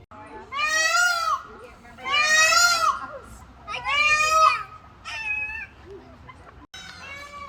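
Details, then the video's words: Peacocks at the Maine Wildlife Park, in an enclosure near the backyard bird exhibit, give three loud, nasal, wailing calls, each about a second long and about a second and a half apart, then fainter calls; soft background murmur. "Backyard bird exhibit. Come up next. You can hear the peacocks."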